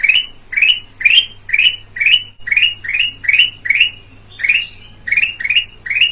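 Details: Red-eyed black-crested bulbul from Sumatra, offered as a clear-voiced lure recording: a short, bright note sweeping upward, repeated about twice a second in a steady series, over a faint low hum.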